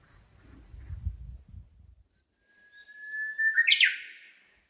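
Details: Small songbird singing in Nishinokubo Park, Hondo, Amakusa, Kumamoto, Japan, from shaded woodland path in hot early-summer weather: after low rumbling noise and a pause, a long steady whistle leads into a sudden bright, rapid warbled flourish.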